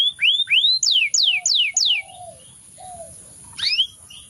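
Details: Canary singing a string of loud sweeping whistles falling from high to mid pitch, about two per second, then softer low slurred notes and a final pair of rising notes, over a steady high electrical whine.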